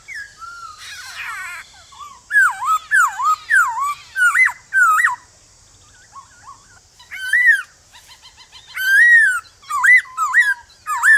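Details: Morning song of a male black-throated laughingthrush in forest voice, meant to lure wild birds into answering. Clear whistled notes bend sharply up and down in bursts, broken by brief pauses and softer chattering.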